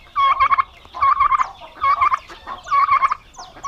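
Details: Male domestic turkeys, said to be aggressive, kept together on a Brazilian farm in Paraná, give four fast, bubbling gobbles in quick succession, with thin high squeaky notes sounding between them.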